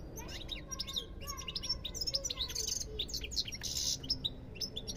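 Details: Goldfinch singing a rapid, tinkling medley of high twitters, slurred whistles and brief harsh buzzy bursts, delivered without pause against faint low rumble.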